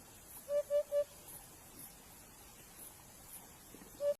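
A chukar gives three quick, low clucking notes in a row, then a single matching cluck after a pause of about three seconds, over faint steady hiss.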